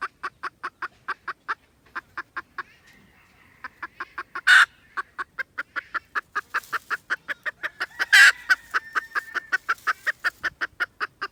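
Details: Rapid series of brisk clucks from a red junglefowl, recorded 16 December 2021, running nearly unbroken for eleven seconds with two sudden loud harsh bursts and a soft drawn-out note in a brief lull.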